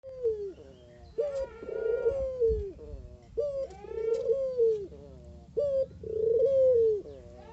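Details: Collared dove of the 'mata geni' type, its song praised as melodious and very vocal: three low, mellow coo phrases, each a short opening note followed by a longer rolling coo, repeating about every two and a half seconds over a faint low hum.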